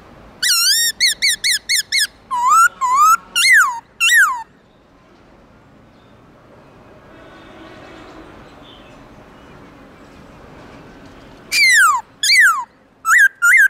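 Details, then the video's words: Morning forest-style song of a black-throated laughingthrush, bursts of rapid loud whistled notes, many sharply falling, delivered in quick series with a long quiet gap between bursts and faint background hiss. "Khướu bạc má HÓT GIỌNG RỪNG buổi sáng Âm Dài to rõ"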